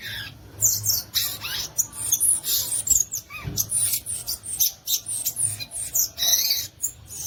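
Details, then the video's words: Continuous squeaky, scratchy chatter from a violaceous euphonia, with high bursts tumbling over one another and an occasional lower slurred note. "Belíssimo Canto do Gaturamo Verdadeiro, ou Guriatã"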